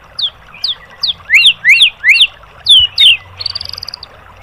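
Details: White-rumped shama song used as a training recording for caged birds: clear whistled downslurred notes, then loud rising-and-falling whistles about every third of a second, ending in a quick buzzy trill.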